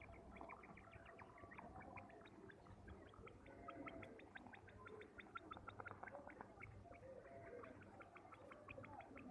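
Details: Male quails calling in a village setting, several birds producing rapid, high, clipped notes repeated densely and overlapping throughout, over a steady low background rumble.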